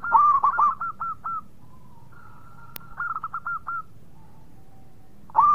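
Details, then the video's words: Local-strain zebra dove song with bursts of quick, bubbling, stuttered coos, a sustained faint hum between phrases, a sharp click midway, and a final loud coo at the end. "Perkutut Lokal Gacor Suara Mewah"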